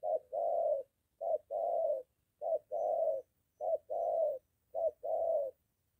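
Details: Moulting decoy spotted dove practising near home against a wild dove, giving low, hollow coos in pairs: a clipped opening hoot followed by a drawn-out note, four pairs evenly spaced over six seconds.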